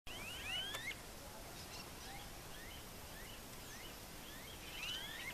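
Smooth-billed ani giving whiny, upslurred whistles, a loud one at the start and another near the end, with fainter rising calls between over a steady hiss.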